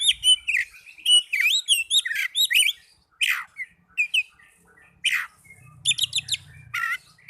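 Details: Oriental magpie-robin singing, played to encourage caged birds to sing. Quick whistled and chirped phrases with sharp downward sweeps, a few gaps, then rapid stuttering note clusters, with a faint low hum late on.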